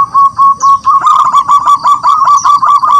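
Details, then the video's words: Wild local zebra dove singing vigorously to call rivals into song: rapid staccato cooing notes at a steady mid pitch, repeated in quick pulses for about three seconds, with faint higher chirps above. "Perkutut lokal alam gacor, suara memanggil lawan untuk bunyi"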